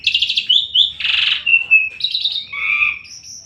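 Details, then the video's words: Asian pied starling in gacor song: rattling trilled notes, a harsh buzzy burst, a thin whistle, then further trills and a high, clear whistle at the end. "Burung Jalak Suren gacor"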